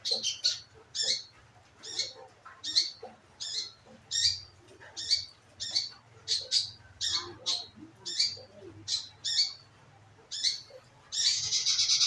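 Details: Scarlet minivet calls played as a lure to prompt the bird to sing: sharp, shrill high notes repeated roughly twice a second in short bursts, with a harsh rushing noise at the end.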